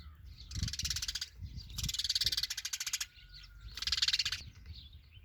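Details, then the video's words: Sparrow giving harsh, buzzy chattering bursts, each about a second long and rapidly pulsed, three bursts separated by short pauses, with low rumbling background noise. "Funny Sparrow"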